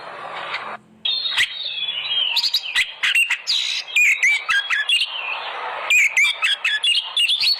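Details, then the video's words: Oriental magpie-robin song played as a lure to set caged birds singing: after a brief low hum and pause, dense high chips, buzzy notes and bright upslurred whistles follow in quick succession. "pancingan burung Kacer agar gacor"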